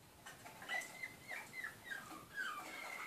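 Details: Malinois canaries in Skopje singing a soft, low song of drawn-out, gently falling whistled notes, each lasting about a quarter second, with short gaps between them.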